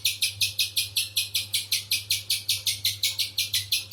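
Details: High, scratchy chip notes from a spiderhunter, repeated evenly about every third of a second, each with a short downward slur; a low hum persists throughout.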